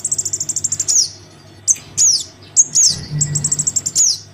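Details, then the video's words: Lure recording of a Crimson sunbird chick calling for its parent: fast high-pitched ticking run, then separated sharp downward-slurred squeaks and short buzzy bursts, faint low hum in the background. "Suara pikat [anakan sogon memanggil induknya] cocok untuk burung sogon yg susah turun.."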